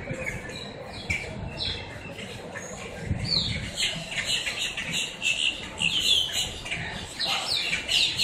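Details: Crowd of blackbirds squawking up close in Miami, Florida; harsh, rising squeals and chatter pile up in an irregular, restless racket.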